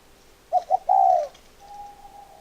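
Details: Spotted dove giving two short coos followed by a long falling note, then a faint steady tone from another coo in the background.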